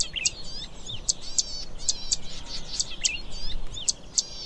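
Zitting cisticola giving sharp, high 'zit' notes roughly every half second, over busy twittering from other small birds and a low background rumble.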